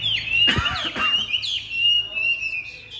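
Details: Caged Chinese hwamei singing a sustained high whistle with rapid ornaments. Two short bursts of broad rustling or knocking sounds break in near the start.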